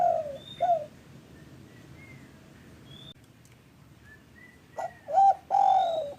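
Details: Spotted dove calling, used as a lure for reluctant caged doves. Mellow coos come at the start, then after a quiet gap a second phrase ends in a long, drawn-out coo, with faint thin bird chirps in between.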